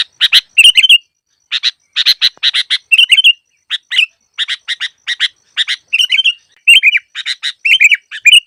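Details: Sooty-headed bulbul training recording, suited to lure birds slow to sing: dense run of harsh doubled chatter notes mixed with frequent short slurred whistles, growing more whistled toward the end.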